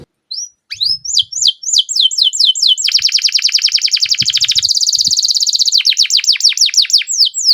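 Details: Canary singing a long roll: hooked notes building in speed, then a long fast even trill, then sweeping downslurred notes.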